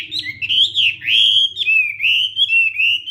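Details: A Hwamei sings loudly in the morning as voice training for song contests: long, clear, wavering whistles slurring up and down in smooth, ringing phrases.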